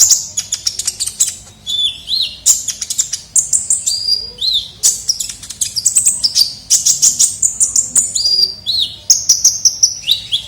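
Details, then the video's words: Lively kolibri ninja sunbird lure recording: dense run of rapid high ticks and sweeping whistled phrases, bursts repeating nearly every half second with no pause. "pikat suara burung kolibri ninja gacor"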